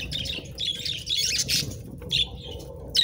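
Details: A flock of pet budgerigars nibbling treats keeps up dense, high chattering chirps and squeaks, nearly continuous with brief breaks.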